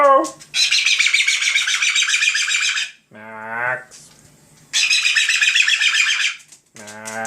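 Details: Pet bird, a little baby bird, indoors near a person talking to it: long loud harsh screeching squawks lasting two seconds each, broken by a short man's voice between them.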